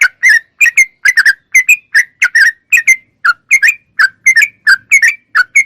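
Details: Lively sooty-headed bulbul song, recorded clean for daily song-training of cage birds: a steady chain of rich, rolling whistled phrases, some doubled, each a bright chirp followed by a short gap, over quiet background.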